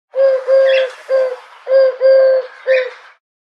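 A common wood pigeon gives low, husky coos in two rhythmic groups of three notes over about three seconds, against a quiet background.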